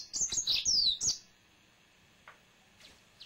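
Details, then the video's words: One-second burst of sweet, high, rapidly slurred whistles from a male yellow-fronted canary kept at home, followed by quiet with a few faint distant chirps. "Finch Green Singer Song (Serinus mozambicus )"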